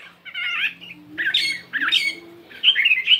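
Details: A 72-gram fighting Chinese hwamei during morning voice practice gives short bursts of harsh, squawky, buzzy notes separated by brief gaps, over a steady low hum.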